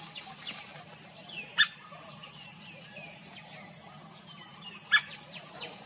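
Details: Laced woodpecker, male and female calling: two sharp, loud single call notes about three seconds apart over a soft chorus of faint chirps and whistles from other birds.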